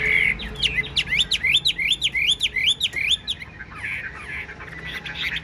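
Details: A 95%-tamed Chinese hwamei with its tail fanned sings nonstop: loud, rising whistled notes repeated quickly, about four per second, then breaking into a rich, varied warble.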